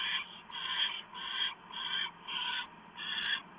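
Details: Owl at its nest during a small mouse delivery, evening of 1 November 2015: about six raspy, noisy hisses in a regular pulse, each swelling and fading, with one sharp click near the end.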